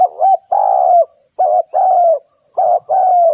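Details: Close, loud cooing from a spotted dove used as a lure for trapping: a short note and a sustained, gently falling coo, repeated three times at about one-second spacing.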